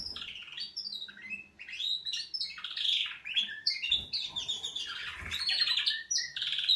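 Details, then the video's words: Loud, unbroken canary wake-up song: bright trills, buzzy rolls and looping whistled slurs tumble one after another with barely a gap. "Kanarienvögel Weckgesang |||Canaries wake-up song"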